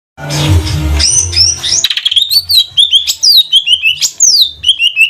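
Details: Greater green leafbird (cucak ijo trotol) from Banyuwangi, a kept bird whose song serves as a lure to make other birds sing. After a buzzy noisy opening, clear whistled notes slide up and down in quick varied phrases over a low hum.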